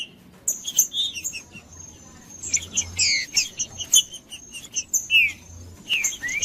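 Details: Green-winged saltator in 'macheando' singing meant to stir other birds: scattered downslurred whistles mixed with short, sharp high chirps, broken by brief pauses, with a faint continuous high tone and low background hum.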